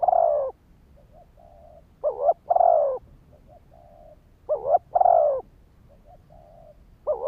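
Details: Spotted dove giving lure calls to trigger males: low throaty coos, a quick double note followed by a longer drawn coo, with soft faint coos between phrases.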